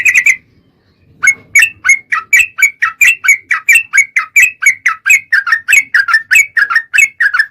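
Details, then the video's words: Sooty-headed bulbul, lure recording used to trigger singing: a short chirp, a pause, then a long steady series of bright, bubbly whistled notes about three per second. "buktikan suara pancingan TRUCUKAN 💯% langsung bunyi"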